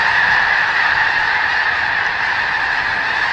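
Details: Heard close to a flock of many thousands of snow geese at McNary National Wildlife Refuge, Washington: loud, dense, high-pitched honking and yapping from countless birds, a relentless overlapping babble.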